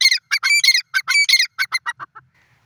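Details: Grey francolin, known locally as dakhni teetar, giving harsh grating squawks in quick clusters that slow and fade toward the end, leaving quiet background.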